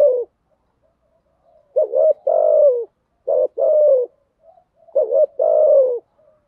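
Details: Spotted dove lure calls, three phrases each of a quick double hoot and a longer coo dropping at the end, evenly spaced about every one and a half seconds.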